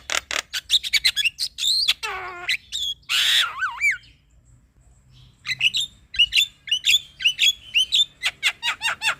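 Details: Singing male Javan myna, used to provoke a quiet myna: quick scratchy chips, a descending slurred whistle, a loud harsh squawk with a wavering note, a short pause, then sharp repeated chattering notes.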